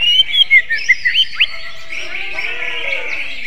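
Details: Greater green leafbird in a magpie-robin-like song style: a quick run of sharp, rising and falling whistled notes in the first second and a half, then a continuous busy twittering background of other birds.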